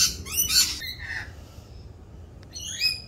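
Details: Rainbow lorikeets in mating season, noisier than usual as they perform their mating dance; a few sharp, high screeches with falling harmonic sweeps, a quiet pause, then one more shrill call near the end.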